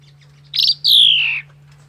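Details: Semi-mature male Javan pied myna, a local competition-trained songbird: a sharp buzzy note, then a long piercing whistle falling steadily in pitch, with a steady low hum in the background.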